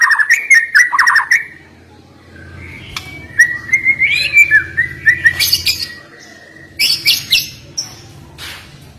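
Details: White-rumped shama in sharp 'nembak' song: a rapid opening flurry, then sliding whistles and high buzzy bursts, heard over a steady low hum.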